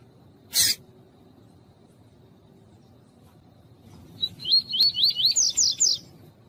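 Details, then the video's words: Coleiro tuí-tuí, the double-collared seedeater, singing a warm-up phrase for tournament males with a female calling: a loud click, a long quiet pause, then a burst of rapid wavy whistles rising into sharp bright notes. "ESQUENTAR COLEIRO TUÍ-TUÍ COM COLEIRO TUÍ-TUÍ E FÊMEA CHAMANDO"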